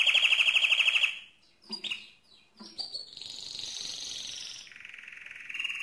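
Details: Loud song of a mosaic canary, opening with a fast rolling trill, a brief pause and scattered chirps, then long high whistled and buzzy phrases.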